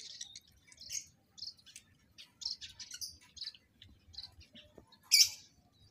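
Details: Captive lovebirds being paired for mating give sharp, high chirps in short separate bursts, with one louder shrill note near the end and gaps of quiet between.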